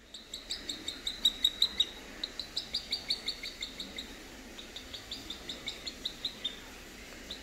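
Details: Three-week-old boat-billed heron chicks at Zoo Praha, Czech Republic, in late September: rapid, regular series of short high chirps, about two to three per second, in bursts separated by brief pauses.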